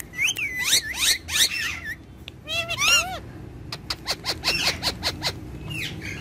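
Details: Two pet ringneck parrots dancing and talking together: loud harmonic squawks with wavering pitch, a quick run of arched notes, then a fast series of sharp high chips.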